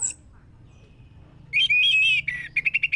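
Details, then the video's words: Orange-headed thrush singing, offered as a lure to make birds sing: a loud rich warbled whistle phrase, then a short series of five quick repeated whistled notes. "Pancingan anis merah biar bunyi"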